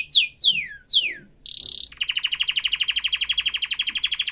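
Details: Canary song: three loud descending whistled slurs, a short high buzzy burst, then a steady fast trill of repeated rich notes.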